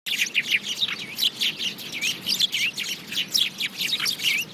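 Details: House sparrows chirping in a dense, continuous chorus of short, bright chirps and downslurred notes, many birds overlapping with steady rapid chatter throughout.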